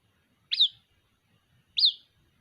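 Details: Chick of the white-breasted waterhen calling its mother, two loud high-pitched chirps a little over a second apart, each starting with a sharp upward sweep and trailing off in a thin falling whistle.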